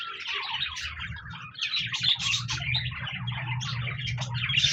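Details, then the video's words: Singing budgerigars recorded 26 January 2024, pouring out a busy, scratchy warble of overlapping chirps and squeaks over a constant low hum. "Budgies Birds Singing Chirping Sounds Parakeets sounds"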